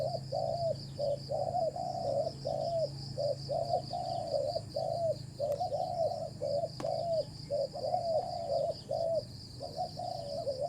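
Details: A wild spotted dove with a good voice coos during a decoy-trapping session: steady strings of short, mellow coos, some with a downward curl, almost unbroken for ten seconds over a high insect drone.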